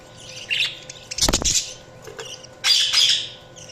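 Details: Pet budgerigars chirping: scattered high bright chirps and short squawky notes, with a loud broadband clatter in the middle and a constant low electrical hum.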